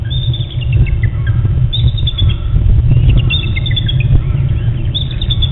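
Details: Male and female bald eagles exchange early morning calls at their Hornby Island nest, recorded by webcam at 5:45 AM, 15 June 2012. Three bursts of high, piping, falling chatter sit over a heavy low hum.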